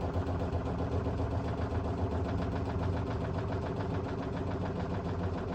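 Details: Heavy, low engine-like rumble with rapid pulsing vibration, as from a running washing machine, continuous throughout with no clear animal voice.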